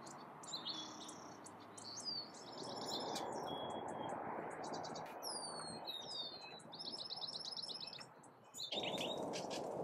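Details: Bushtits in a backyard in the Sierra foothills, California, on 8 April, give thin, high twittering notes and short buzzy trills in quick, irregular bursts over a steady broad rush of background noise.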